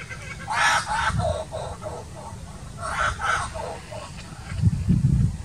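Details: Young laughing kookaburras practising their call, sounding like rusty saws or engines that won't start, with one approaching an adult. Two short bursts of harsh, stepped laughing notes, each about a second long, over low wind or handling noise.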